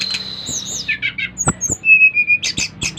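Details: Bali brown-chested jungle flycatcher in lively song meant to set others singing: a long level high whistle, buzzy chip clusters, then a clear steady whistle and a burst of rapid notes.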